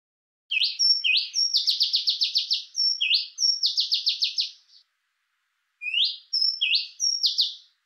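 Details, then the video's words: An Oriental magpie-robin in Thailand sings loud, clear whistles: rising slurred notes lead into fast runs of rich, repeated chips, then a pause and a fresh phrase. "The Oriental Magpie-Robin (Copsychus saularis)"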